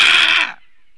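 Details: A Eurasian bittern defending its nest, recorded by a nature camera in Latvia on 28 April 2022, gives one harsh, rasping hiss about half a second long, loud and broad, then cuts off into quiet.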